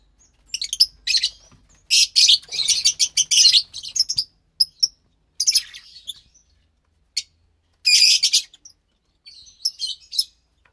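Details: Two pastel lovebird chicks, likely white and light green, make high, harsh chirping bursts in irregular groups with short silent gaps between them.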